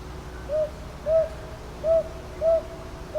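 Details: Soft double hoots of a northern boobook, recorded at Ichijoji, Sakyo Ward, Kyoto, Japan on 22 May 2023 using a TASCAM DR-100MKIII; four clear low notes in paired rhythm, a fifth starting at the end, faint hum beneath.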